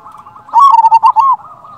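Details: Local zebra dove giving a lure call to draw replies from other doves; soft murmuring lead-in, then a loud run of five or six quick, bubbling coo notes before fading back.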